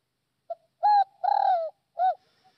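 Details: Spotted dove from Northwest Vietnam, a good-voiced decoy bird, gives a low coo phrase: a quick soft note, a steady hoot, a drawn-out fluttering coo that slopes downward, and a short final hoot.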